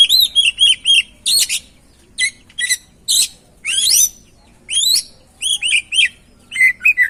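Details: Oriental magpie-robin song used as a lure to get a reluctant or stressed bird singing: loud, varied bursts of whistled, sweeping and buzzy phrases, short notes repeated in quick groups with brief pauses between bursts.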